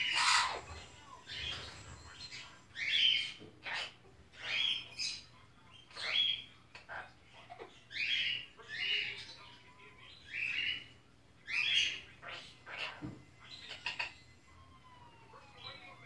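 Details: Six-month-old pet sun conure, female, spending Christmas watching Die Hard. Harsh scratchy screeches repeat about once a second in an uneven series, with a few thin whistled tones and clicks in the background.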